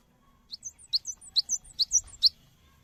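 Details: Cinereous tit in lively song used to coax a response from other birds: a quieter, rapid string of shrill, high chirps in loose pairs for under two seconds, with faint low background hum.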